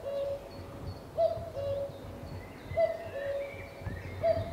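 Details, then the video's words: A common cuckoo on Cannock Chase gives its soft two-note 'cu-coo', high then lower, about every one and a half seconds, with faint small birds calling behind. "Cuckoo Calling"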